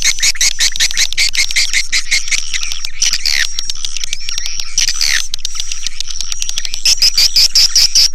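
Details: Swiftlet call used as a lure, Sp Bku 7: continuous fast clicking with scattered shrill chattering bursts and a steady high whistle, ending in quick repeated high chirps.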